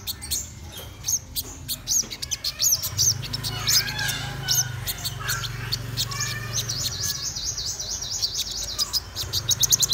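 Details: Black-throated sunbird singing in the morning: quick, high, thin chirps and buzzy trills, some runs of rapid wavering notes, with lower warbled notes from other birds and a faint background hum.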